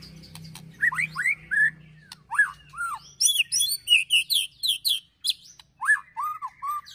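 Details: White-rumped shama ketrekan song, an emotional, aggressive style laced with imitations of other birds, used to provoke and train birds: sharp whistled upslurs near two kilohertz mixed with bursts of high chirps, brief pauses between phrases, faint low hum.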